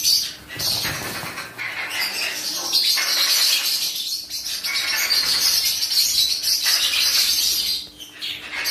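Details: A hand-fed military macaw chick gives harsh, raspy begging calls in near-continuous bursts with brief pauses, along with some rustling.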